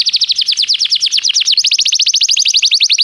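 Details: Canary song played to a canary to start it singing: a continuous run of rapid falling high notes, about ten per second, steady throughout.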